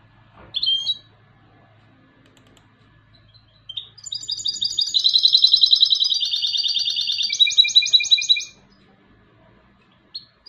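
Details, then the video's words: European goldfinch hybrid singing: a brief high note, a pause, then a sustained stretch of rapid, buzzy, tinkling trills. The trills run steadily for about four seconds, shift pitch near the end and stop abruptly. The background is quiet. "UN RATITO DE CANTO DE MIXTO DEL JILGUERO ** تغريد هجين الحسون"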